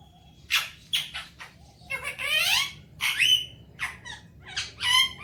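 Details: Talking Alexandrine parakeet enjoying morning time; a continuous run of harsh squawks, buzzy chatter and brief whistled notes.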